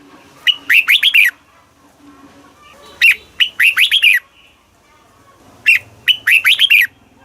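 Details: Red-whiskered bulbul from Thailand delivering southern master-style song meant to excite caged birds and train chicks. Three near-identical warbled phrases of bright whistled notes repeat about every two and a half seconds.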